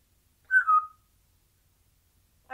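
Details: Single parrot in a cage chattering sporadically: one clear whistled note that slides downward and lasts about half a second, then near silence until another note begins at the very end.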